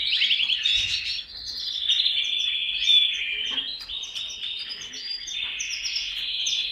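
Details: Canary singing a long unbroken warble of trills and whistled notes, steady in pitch, with faint higher chirps above.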